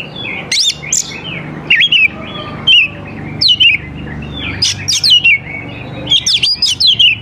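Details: Oriental magpie-robin, a gacor (vigorously singing) bird used to lure young wild birds into answering: loud, varied phrases of sweet whistles and sharp chirps around high pitch, delivered in short bursts separated by brief pauses, with a faint low hum behind.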